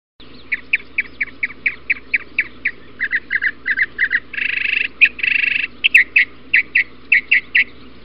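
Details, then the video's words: Mockingbird giving a series of short sharp notes repeated about three times a second, broken by two longer buzzy, harsh bursts, then more crisp repeated notes; steady low hum underneath. "Mockingbird Call"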